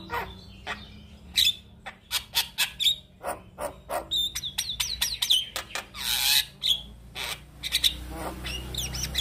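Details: Male Javan myna singing for other mynas to copy: sharp clicks and chattering notes alternate with clear whistled slides and one long harsh rasp, the phrases tumbling quickly one after another.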